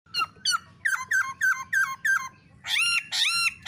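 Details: Female black-throated laughingthrush calling with a male, meant to stir other birds into song: a quick run of short downslurred notes, then a pause and louder, harsher, buzzier rising notes, with a soft low rumble beneath.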